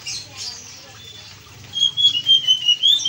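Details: Actively singing Blue-and-white flycatcher: after a near-silent opening, a lively string of clear, high whistles and twittering slurs runs through the last second and a half.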